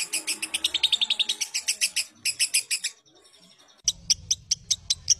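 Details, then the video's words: Lovebird chirps used as training audio for other lovebirds: a hurried run of harsh high notes, a quiet pause, then slower, spaced, piercing chirps over a low hum. "Masteran Ampuh Burung Love Bird"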